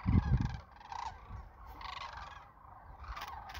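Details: Sandhill cranes heard on their annual spring migration south of Wood River, Nebraska, in 2024. Rolling trumpeted calls rise from a more distant flock, after an opening burst of loud low thumps.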